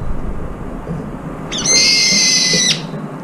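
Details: Brown-eared bulbul competing for food while several birds eat together; one steady, piercing, shrill screech of just over a second after a quiet start, with soft background rustling.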